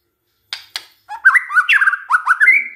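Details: White-rumped shama singing a lure song meant to provoke rival shamas: two sharp clicks, then a rapid warbled run of looping, rising whistles.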